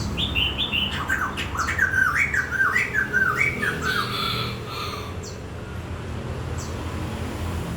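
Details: Bird delivering a lively phrase of looping, up-and-down whistled notes repeated in quick succession for about four seconds, then quieter with only scattered clicks and a soft hum.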